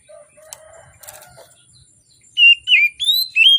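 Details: Oriental magpie-robin singing in the morning, a lure for magpie-robins reluctant to sing. A faint, quiet start gives way to four loud whistled phrases, each sliding and warbling between mid and high pitch.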